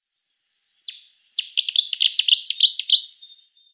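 A Cetti's warbler gives two high introductory notes, then bursts into a loud, rapid, explosive run of sharp whistled phrases. No other sounds are heard.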